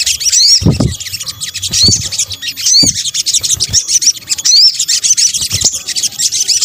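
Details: Sunbird, locally sogok ontong, in a lure-sound combination: fast, high-pitched chips and repeated short rising whistles over a steady shrill chatter, with occasional soft low taps.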